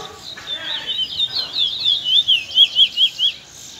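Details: Young Trinidad bullfinch (chestnut-bellied seed finch) in afternoon song: a fast, sweet warbling phrase that builds into a string of loud, evenly spaced whistled notes, rising and falling, about a dozen in three seconds.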